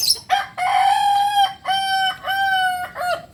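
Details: ['Kukuak Balenggek rooster, a native chicken of Solok, crowing a long multi-part crow: a short opening note, then a sustained nasal tone, followed by three shorter stepped syllables, each a strong steady pitch with rich harmonics.']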